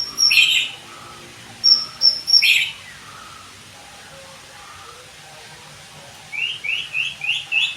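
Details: White-rumped shama song compiled as therapy so birds sing readily and fire rapid bursts: harsh buzzy bursts, clear whistled notes between, then a quick series of five rising chirps, with quiet gaps.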